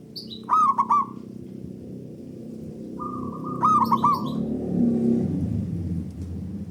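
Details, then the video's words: Zebra doves of a local strain answering each other with loud song, used to draw other doves into singing. Two ringing, sharply accented coo phrases with trailing rolls, a high chirp before the first, over low rumbling background noise. "Pancingan Burung Perkutut Lokal Gacor Dor Bersaut Sautan $uara Keras Panjang"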